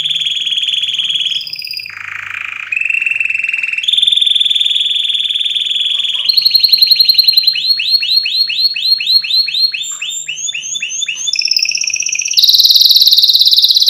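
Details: Canary song for bird-tutoring, a long varied sequence: sustained rolled trills at several pitch levels, a burst of quick repeated descending whistles, and a final piercing high trill.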